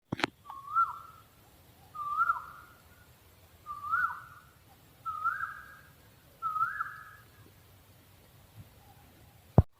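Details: {'caption': 'Owl calling: five short whistled notes that rise and hook upward, each sliding into a flat tail, spaced about every one and a half seconds over a quiet background with a faint low hum.'}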